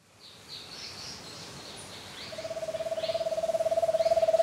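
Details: A giant antpitta at Refugio Paz de las Aves, Ecuador, gives a fast, hollow trill of low notes that steadily swells in volume. Faint high chirps from other birds sound in the background.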